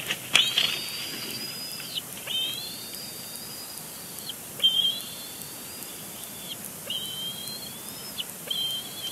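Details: Bald eagle chick at Big Bear Lake, April 27, 2022, still complaining after its father moves to a branch off the nest; a sequence of long, thin, high whistled squeals with short sharp chips at their starts.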